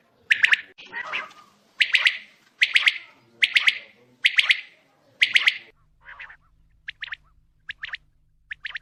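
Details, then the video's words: Quail calling at night: loud, sharp, clipped calls about every 0.7 seconds, then softer, scattered notes over a faint low hum. "QUAIL SOUND AT NIGHT"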